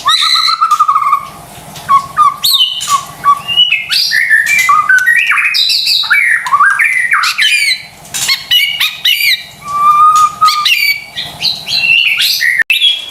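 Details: White-rumped shama song used as a lure to stir silent or stressed birds into singing: rich, varied phrases of loud whistles, sharp chirps and rapid warbles, sweeping widely in pitch, with short pauses between bursts.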